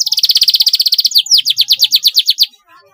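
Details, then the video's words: Canary singing for young birds learning their song: a fast, even trill of about twenty pulses a second, shifting into slower downward-sweeping notes, then quiet. "paud kenari belajar bunyi cocok sekali di pancing suara ini"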